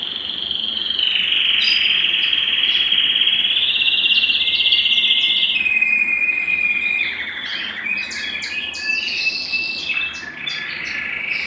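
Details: Belgian canary song used to stimulate males and bring females into breeding condition: a long continuous rolling trill held for several seconds, dropping in steps, then broken into varied chirps and short bursts.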